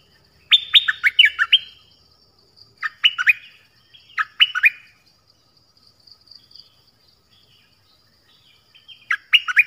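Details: Nok dok taeng songbird singing a 'phleng boen' style song, used to teach young birds to sing along. Bright whistled phrases of rapid rising and falling notes, one burst of about a second followed by two shorter phrases after pauses.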